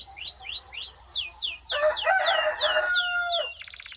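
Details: Belgian canary song used to warm up canaries and fire up females: rising then falling whistled sweeps, joined by a lower warbling, steady tonal phrase, ending with a short rapid trill.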